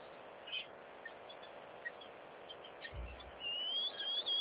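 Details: Tropical boubou at a wildlife waterhole in Botswana gives a few short whistled notes, then a clear, rising, drawn-out whistle near the end, over a steady background hiss.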